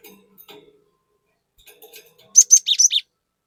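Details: ['After quiet faint clicks, a cinereous tit bursts into a single rapid phrase of five loud, shrill whistled notes, some dropping in pitch.']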